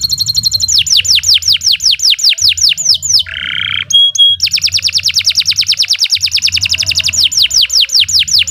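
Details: Long canary song meant as training material for other birds: steady run of downslurred whistled notes, a brief low harsh burr, a single clear tone, then a long fast string of repeated descending notes.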